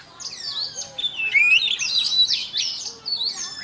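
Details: A white-rumped shama in morning song training gives rich, sweeping whistles that slide up and down, with a clear rising note near the middle and quick ornamented flourishes around it.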